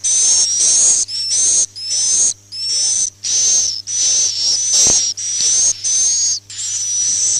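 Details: Swiftlet lure call, played to attract swiftlets. High chirping bursts about 0.6 seconds long, each with a thin rising whistle on top, repeated in a steady train with short gaps and a low steady hum beneath.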